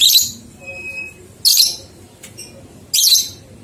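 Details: Training recording of lovebird ngekek for two-month-old youngsters: three harsh, high chattering bursts about every 1.5 seconds with faint thin whistles between.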